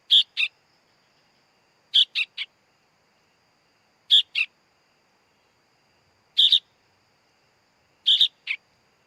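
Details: Sooty-headed bulbul chick repeating short bursts of two or three harsh, scratchy notes about every two seconds, five bursts in all.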